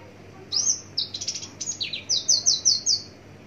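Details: Javan bush lark of the parva form, recorded from a distance, singing a 'tembakan' variation burst: a string of thin, high, slurred notes ending in five quick, evenly spaced bright chips.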